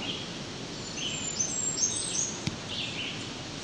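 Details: Blackburnian warbler in the Great Lakes region sings one of its multiple songs, a thin, wiry run of very high notes near the top of hearing; an ovenbird's lower teacher call sounds in the background.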